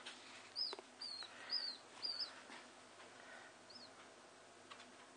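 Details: Two common house martin chicks that fell from the nest and are being hand-fed give begging calls: thin, high chirps in quick bursts, about four in two seconds, then a fainter one after a pause.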